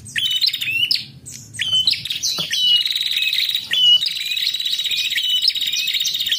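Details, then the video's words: A female prinia gives a fast, high, buzzy trilling chatter of sharp repeated notes almost without pause, used as a lure to make male prinias call; faint low background noise. "Prenjak Betina Gacor Narung Ampuh untuk Pancingan bunyi prenjak jantan"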